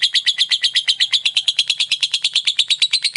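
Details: Lovebird in ngekek, a fast rattling trill used to provoke other lovebirds: sharp high notes repeated evenly about three times per second throughout, with a faint low hum beneath.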